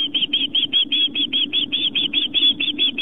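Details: Osprey at a nest on Long Island, New York, filmed by a live nest camera on September 11, 2007 at 4:55 pm as a fish is delivered; rapid series of short, high whistled chirps, about two or three per second, over a steady low hum.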